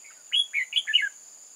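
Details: Decoy red-whiskered bulbul at a trap on 8 October 2018, singing to draw in wild birds: one loud, quick phrase of four or five bright, slurred whistled notes, over a constant shrill insect hum.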